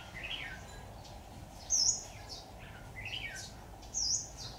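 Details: Red-whiskered bulbul at a trapping site with a decoy bird, 26 October 2019: short, high, bright chirped notes, a few loud ones standing out over a steady low background hum.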